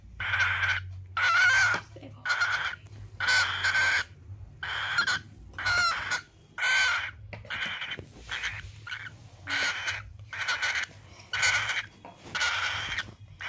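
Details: A cockatiel, while eating food, gives harsh, screechy calls, repeated roughly once a second with short pauses between.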